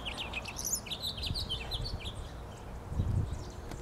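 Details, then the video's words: Red male house finch at a park in Oak Bay on 27 January 2012 sings a rapid, warbled run of high chirps and slurred notes without pause, over low background rumble. "RED FINCH WHISTLING A HAPPY TUNE"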